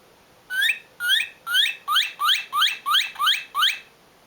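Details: A Northern Cardinal sings a run of nine clear, rising slurred whistles, like "what what what" or "what cheer", about two or three each second, with a quiet background.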